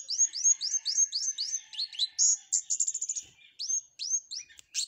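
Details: Flowerpecker singing canary phrases: a rapid string of high, upslurred, whip-like notes repeated several times a second, broken by buzzy chattering bursts, then more upslurred notes.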